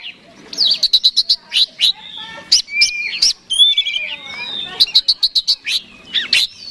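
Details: Oriental magpie-robin, a contest songbird, in fighting song aimed at a rival: clusters of rapid high chips framing twisting whistles and mimicking warbles, loud and varied.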